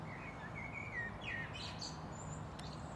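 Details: European robin in Tivoli Landscape Park, Ljubljana, on 29 May 2023: thin, sweet phrases, some sliding downward, then a quick tumble of very high notes over a steady low background rumble.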